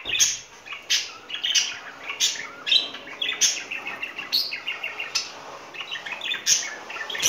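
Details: Pet budgerigar pair courting in spring, giving a steady stream of rapid chirps and buzzy warbles with sharp clicking accents roughly every half second to second.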